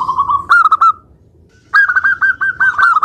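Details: Local zebra dove singing vigorously, a song used as a lure to provoke other doves into answering. A short burst of staccato, fairly low coos is followed after a pause by a longer run of rapid, evenly pitched coo notes.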